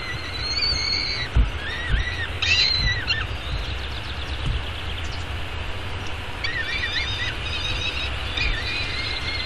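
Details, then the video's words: Peregrine falcon chick at a downtown Arizona nest during a morning feeding, May 24, 2016; short wavering squeals early on, a quiet middle, then softer repeated harmonic whines near the end, with low urban rumble and occasional thumps. "Peregrine Falcons~ Breakfast for Baby Falcon"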